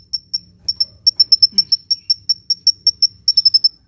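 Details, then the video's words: Hummingbird in full song, played to lure birds or coax lazy ones into singing: an almost continuous series of bright, very high chips, evenly spaced about five per second, over faint low-frequency background noise. "SUARA BURUNG KOLIBRI GACOR"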